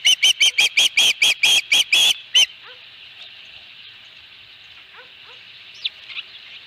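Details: Osprey at its nest with a fish, the fourth fish of the day, recorded on 22 August 2020 by a nest camera: a rapid series of about ten loud, high whistled chirps over two seconds, then faint chirps over a steady hiss.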